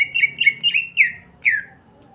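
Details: Greater green leafbird singing to provoke rival green leafbirds: a quick run of warbled whistles, each dipping and rising, followed by one longer downslurred whistle; faint low hum in the background.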